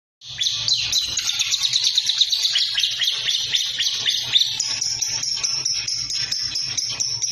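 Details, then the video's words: Lovebird singing vigorously after a natural tonic: a dense, rapid stream of high, sharp chirps and trills, shifting midway into evenly repeated squeaky notes, continuous throughout with a faint low hum beneath. "love bird bikin langsung gacor"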